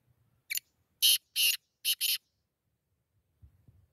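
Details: Black francolin (kala teetar) calling: a phrase of five harsh, rasping, broadband notes over under two seconds, one short note, two longer grating ones, then a quick pair, followed by faint low rumbling.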